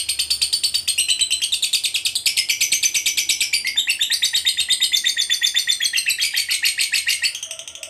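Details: Fighter lovebird delivering an unbroken ngekek panjang trill, fast shrill chattering pulses about six per second for over seven seconds before fading, used to provoke other lovebirds.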